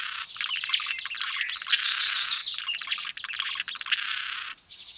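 A blue-throated sparkling hummingbird sings a dense, high-pitched chatter of rapid squeaky chips and thin buzzy notes, running almost without pause.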